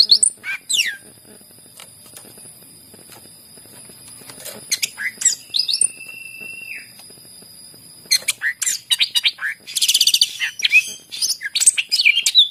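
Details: Greater green leafbird singing to stir other birds into song: sweeping whistled notes, a long level whistle that drops at its end, then a burst of rapid chattering and twittering, over a steady high hum.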